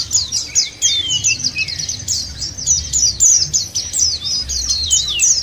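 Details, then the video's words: Lure recording of white-eyes meant to make birds sing: rapid, high-pitched twittering phrases tumble over one another continuously, bright and squeaky, over a faint low rumble. "puter ini jangankan pleci burung lain aja pada gacor"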